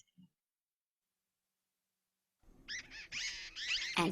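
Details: A pair of martins building their nest communicate in rapid, chattering bursts of bright warbled and scratchy notes rising and falling, coming in close clusters after a short silence.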